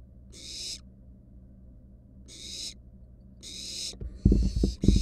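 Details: In a wild barn owl nest box, nestlings rest beside a mouse. Four drawn-out, airy hissing calls sound, the last two close together. Loud thumps and scraping from the chicks moving come at the end.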